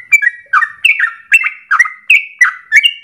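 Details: Trucukan, or Yellow-vented Bulbul, in gacor song for morning, midday and evening training lures: quick, chattering two-part notes, each falling then rebounding, about three per second, crisp and unaccompanied.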